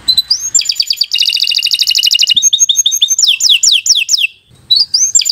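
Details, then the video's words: Canary singing a continuous 'gacor' song for young birds to learn from: rising whistles, a fast rattling trill, then repeated falling slurs and a short pause before new rising notes. "Kicau Burung Kenari 101 II GACOR PANJANG Cocok untuk Masteran"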